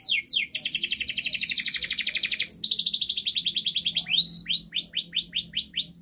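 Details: Singing canary, a 'gacor ngotot' master recording meant to prompt a quiet canary to sing, delivers long rapid rattling trills at a steady fast pace, ending in a run of clear rising whistled notes.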